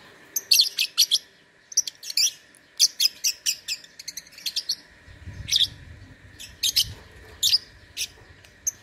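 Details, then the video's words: Lovebird singing in an online contest; steady runs of shrill, rapid chirps and buzzy notes delivered in quick clusters, with low rumbling noise in the second half. "LOMBA LOVEBIRD ONLINE 4 - Aksi LoveBird"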